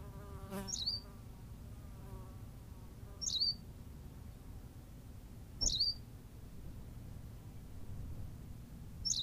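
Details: Berthelot's pipit from La Gomera, Canary Islands, calling with brief high squeaky chirps repeated roughly every two to three seconds; a faint lower buzzy sound early on and a constant low rumble behind.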